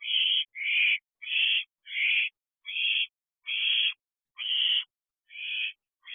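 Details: Owlets in an owl box at night, 12:34 am on 1 July 2023: harsh hissing screeches about half a second long, repeated roughly every 0.7 seconds with short silent gaps.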